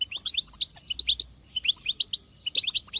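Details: European goldfinch female, wild type, chattering in the batbata style that drives males to sing: crisp twittered notes in short rapid groups separated by brief pauses.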